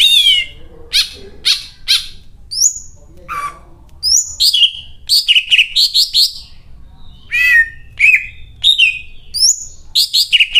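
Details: Energetic greater green leafbird singing with a cililin-style fill, rapid varied phrases of bright whistles, harsh chips and upward-swept notes packed closely together, strong and continuous, with only faint low background noise.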